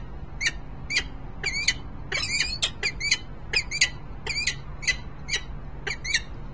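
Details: Peregrine falcon pair, male and female, Harrisburg, Pennsylvania, 10 December 2020: clear, metallic chipping notes repeated irregularly about every half second, some doubled, over a low steady hum.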